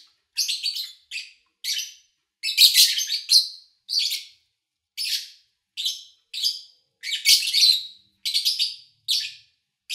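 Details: Lovebirds chirping, recorded at the start of August 2019 with little engine or human noise: a steady series of shrill, rasping high chirps about every half second, with denser chattering bursts near the third and eighth seconds.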